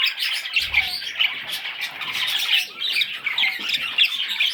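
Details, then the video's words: Baby parrot chicks calling together: a dense, continuous chorus of scratchy, squawking chirps, overlapping and restless throughout, with no pause between calls. "Baby Parrots – Sweet Little Chicks!"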